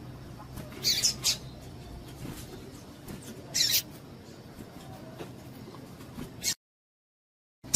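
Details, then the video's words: Female double-collared seedeater calling to excite males. Breeders use such calls to warm up singing males for tournaments. Three brief, high, hissy chips near the start and middle, then a short silence before a final chip, over faint background hiss. "PIADO DE FÊMEA DE PAPA CAPIM PARA DEIXAR SEU PAPA-CAPIM DOIDO"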